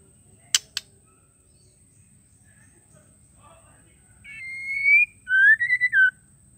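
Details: Two sharp clicks, a pause with faint notes, then a female White-rumped shama gives a long slightly rising whistle and a lower arched, pulsing note. The call is played to make males sing.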